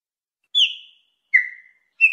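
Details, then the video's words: Chopi blackbird, an entirely black bird, giving three separate clear whistles spaced apart. Each whistle begins sharply and slides downward in pitch. Silence between notes. "PÁSSARO PRETO"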